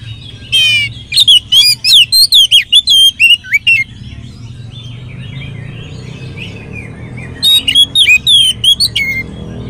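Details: Oriental magpie-robin singing a rich, lively lure song: rapid bursts of varied whistles, trills and sweeping notes in two bouts separated by a quiet gap, over a low steady hum.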